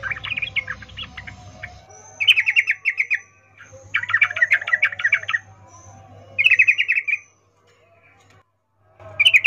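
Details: Sooty-headed bulbul, a female in breeding condition calling a male: an irregular twittering start, then several loud rattling chatter phrases separated by short pauses, with a low hum and some background rustle.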